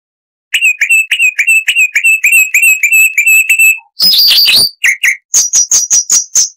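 A Chalk-browed Mockingbird sings a fast run of clear, ringing notes, about five a second, then a harsh rasping burst and a quick series of higher, thinner notes.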